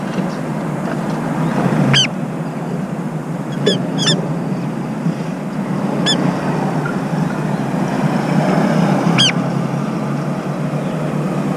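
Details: Brown-eared bulbul, one of a visiting pair where one keeps watch while the other feeds and bathes, gives five or six brief, sharp, shrill notes at irregular intervals against a steady low roar of traffic or rushing water.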